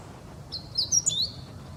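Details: Meadow bunting song: a brief burst of high, thin twittering notes with quick buzzy slurs, lasting under a second, over a quiet low background hum.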